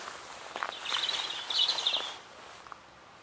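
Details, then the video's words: European robin singing in spring 2014, answering playback of an earlier recording; one sweet, rapid trilled phrase lasting about a second and a half, with faint background rustling. "Robin Redbreast singing for Spring 2014"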